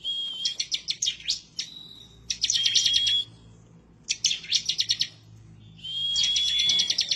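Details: Bar-winged prinia (ciblek) singing eagerly and aggressively as if looking for a rival; fast staccato bursts of high clicking notes alternate with long, thin, level whistles, four phrases in seven seconds.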